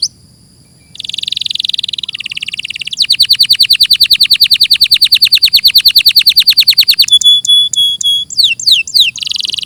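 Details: Canary in full song, clearly recorded: buzzy rolled trills, a long rapid series of descending notes, then metallic ringing tones and sharp downward sweeps, with short gaps between phrases.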